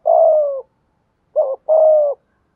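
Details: Spotted dove cooing in the thúc gù and gáy gọi styles, played to draw wild doves: a long, low, steady coo, a pause, then a short wavering note followed by another long, level coo. The background is otherwise quiet.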